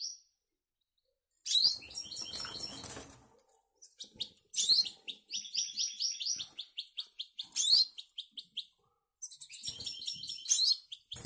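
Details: Goldfinch by canary cross, kept caged in the Canaries, sings repeated bright, chattering phrases of fast high notes and rattling trills, each burst lasting a few seconds with brief pauses.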